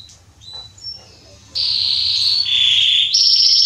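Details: Male Belgian Salsa canary, singing to warm up other birds: quiet faint notes at first, then a loud buzzy trill bursts in, drops slightly in pitch and rises into a rapid rattle.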